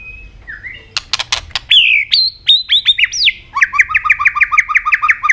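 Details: Singing Asian robin: sharp clicks and downward-slurred whistles, then a fast, even series of repeated two-tone chirps running to the end.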